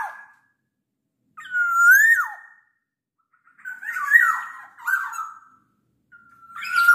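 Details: Singing at night, a black-naped oriole gives a rising liquid whistle that breaks downward, then a run of scratchy, warbling notes and a long thin whistle, all with gaps of silence between phrases.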